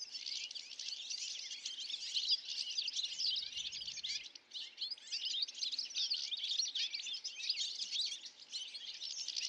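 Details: European goldfinch flock in Illinois, USA, released or escaped birds, possibly including grey-crowned caniceps subspecies: a dense, unbroken stream of bright, tinkling twitters and chirps, several birds overlapping.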